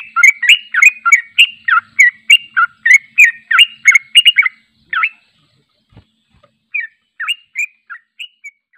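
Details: Yellow-vented bulbul delivering a long, unedited ropel song, recorded for training other birds; a rapid run of bright, bubbly chirped notes, about three a second for five seconds, then a pause and a slower, sparser string of notes, with no background noise.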